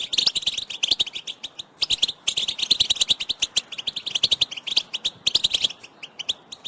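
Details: European goldfinch twittering song, with mating and readiness calls used to prompt a male to sing: a fast, continuous chatter of bright, high notes with short gaps between phrases and faint clicks beneath.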